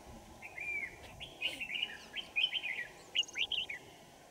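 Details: Red-whiskered Bulbul during decoy trapping of wild birds, Kim Bôi, Hòa Bình, Vietnam, on a winter morning, 3 January 2018; clear, bubbly whistled phrases in quick succession, about one each second, over a low steady hum.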